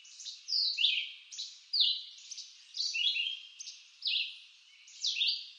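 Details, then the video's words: Red-eyed vireo song from eastern North American forest: quick, repeated two-part whistled phrases about once a second, each slurring sharply down then up, with faint background noise. "Red-eyed Vireo Bird Song"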